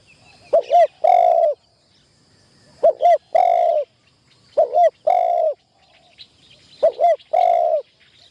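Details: Spotted dove kept as a trapping decoy in Thailand, on its first training outing in a tent trap. Four low cooing phrases come at a slow, steady pace. Each is two short notes, then a longer hoarse note, with faint high chirps behind.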